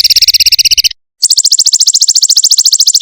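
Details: Prinia (kecingkur or perenjak) in a combination song recording: a rapid, buzzy stream of high repeated notes, a brief silence, then an even faster, higher pulsed trill.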